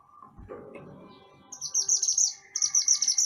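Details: Mantenan gunung songbird in lively full song, a master recording for training other songbirds: rapid runs of high, thin, buzzy chirps repeated in quick bursts, after a brief low rustle and a faint steady whistle.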